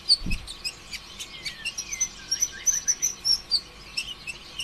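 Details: Konin ijoan sunbird in a fast 'konslet' song played as a lure to stir other sunbirds into song: a steady run of high, piercing chirps with a few lower slurred notes, roughly three to four notes a second.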